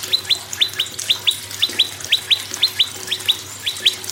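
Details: Prinia song played to prompt other birds to sing: sharp, high downward-sweeping chips, often paired, repeated about every quarter second over a steady low hum.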